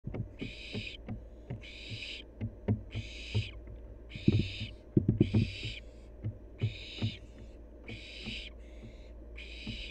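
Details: Wild barn owl fledgling at play, giving a steady series of about nine harsh, breathy hissing screeches, each roughly half a second long and spaced about a second apart, with soft low thumps and knocks in between.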